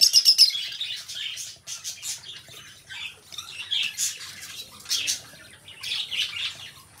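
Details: Two pet lovebirds calling, opening with a rapid string of four piercing, high chirps, then irregular shrill squeaks and buzzy chatter rising and falling in loudness throughout.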